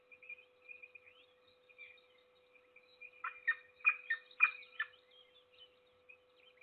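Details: Peregrine falcon feeding one chick, Trzebież Forest District, Poland, 7 May 2022; soft high cheeping builds into a cluster of four or five loud grating squeals midway, then fades, over steady hum.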